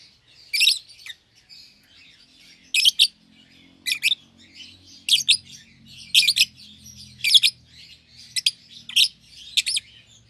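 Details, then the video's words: Caged pair of young lovebirds, a red-eyed albino and a euwing green opaline, giving piercing, buzzy chirps about once a second over soft continuous chatter, with a faint low hum in the background. "Lovebird Chirping Sounds"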